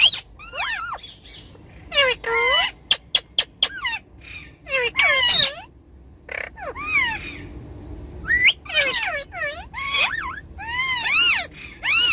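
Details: Several ringneck parrots, kept as pets, having fun on a car's back seat: a long run of squawks, clicks and looping whistled syllables in bursts, with brief quiet gaps, over a low background rumble.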